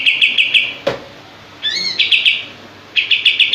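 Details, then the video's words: Common iora (kapas tembak) in active song, tail spread. Short groups of quick, sharp high notes are broken by a soft click. Then come a rising double whistle and two more rapid bursts. "Masteran Kapas Tembak Gacor buka ekor"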